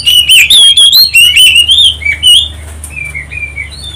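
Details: Oriental magpie-robin song used as a lure to make other birds sing: a loud, rapid series of clear whistles with rising and dropping notes for over two seconds, trailing off into softer, lower whistled phrases.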